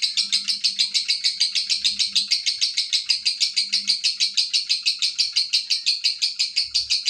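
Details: Steady, rhythmic high-pitched chatter of a lovebird's long ngekek trill, pulses repeating rapidly and evenly without pause, with a faint low hum in the background.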